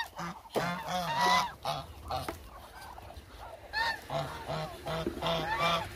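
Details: About 1000 hungry Muscovy ducks calling together: irregular bursts of rough, honking notes from several birds, with a quieter pause in the middle before the calling picks up again.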